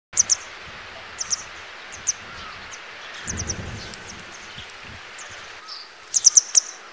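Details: Grey wagtail (Motacilla cinerea) gives sharp, high, metallic 'tsit' calls, singly and in quick doubles and triples, over a steady rushing hiss like running water.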